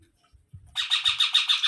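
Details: Baby parrot starting a quick string of raspy, nasal squawks repeated rhythmically after a few soft low knocks.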